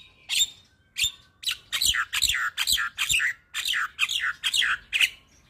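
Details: Black-winged starling song with white eyes, a champion singing bird, presented as a morning tutor recording full of imitated phrases: loud, varied bursts of harsh squawky and whistled notes, dense and irregular, packed with rapid slurred syllables.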